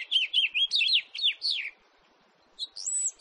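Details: House finch, 2018 recording: a string of bright, slurred chirps that fall in pitch and run for under two seconds, then a short silence before a higher, thin whistled phrase starts.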